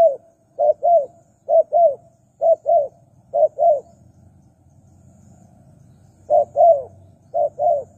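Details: Spotted dove call played to lure wild doves: brisk paired coos with downward-curving notes, four pairs, a pause of about two seconds, then three more pairs.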